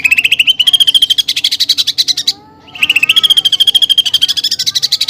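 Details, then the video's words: Rapid, rattling trills from a greater green leafbird singing steadily, its song packed with copied sparrow-fight and pelatuk bawang notes; two long bursts of fast repeated pulses rise slightly in pitch, separated by a brief pause. "CUCAK IJO GACOR FULL ISIAN TEMBAKAN GEREJA TARUNG DAN PELATUK BAWANG"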